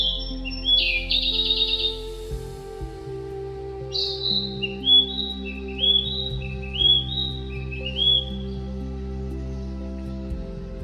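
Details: A male Narcissus Flycatcher in the wild at Yatsugatake, Japan, opens with a high buzzy burst. It then gives a series of short, clear, rising whistled phrases about once a second over soft steady background music.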